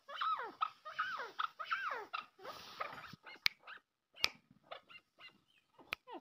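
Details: Maskati chakor, the Arabian partridge, calling in a series of rich, downward-curving notes. Early phrases are longer and grouped; later notes are shorter and scattered, with loud clicks between them.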